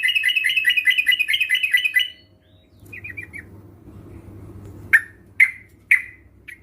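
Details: Sooty-headed bulbul sounds played as a lure to prompt caged birds to sing: a fast run of bright, rattling chirps for two seconds, a short pause, a few soft quick notes, then three sharp, loud separate calls over a low hum.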